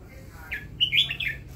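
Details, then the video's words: Newly acquired caged red-whiskered bulbul, kept for listening, delivering one quick warbled phrase of bright, bubbling notes that rise and fall, over a soft low hum. "นกกรงหัวจุก เลี้ยงไว้ฟังเสียง"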